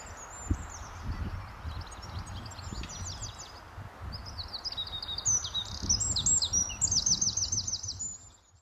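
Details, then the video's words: Eurasian wren singing early on a May 2012 morning at RSPB The Lodge, Sandy, Bedfordshire, before rain. Thin, very high rapid notes build into a loud, fast metallic trill near the end, over steady low rumbling background noise. "Wren at RSPB The Lodge, Sandy, Bedfordshire - May 2012"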